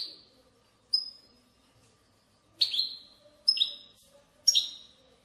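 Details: European goldfinch batbata, meant to stimulate other goldfinches into song. Sparse, sharp descending chirps spaced about a second apart, each a clear twangy note trailing off, over a quiet background.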